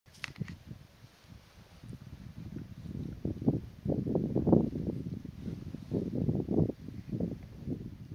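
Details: Burchell's coucal in Pilanesberg National Park giving a low, hollow bubbling series of notes, repeated rapidly and swelling in loudness over several seconds, against faint background rustle.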